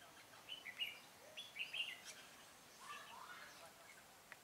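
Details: Red-whiskered bulbul used as a decoy during bird trapping on 25 April 2017, singing to lure wild bulbuls: short, bright warbled phrases in small clusters over the first two seconds, then softer scattered notes, with faint background hiss.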